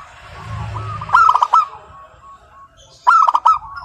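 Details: Zebra dove of local stock singing nonstop in a crystal-clear voice: two loud bursts of quick choppy notes, then a soft purring trill that fades between them.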